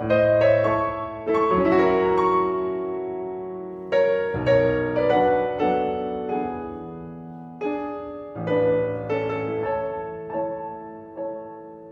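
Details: Slow piano chords ring and fade one after another, with no animal voice anywhere.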